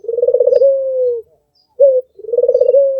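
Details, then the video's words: Red-eyed albino Barbary dove cooing. A rolling, pulsing coo settles into a long falling tone, then a single short note, then the rolling coo starts again. The sound is low and mellow, in a quiet setting. "SUARA BURUNG PUTER MERDU"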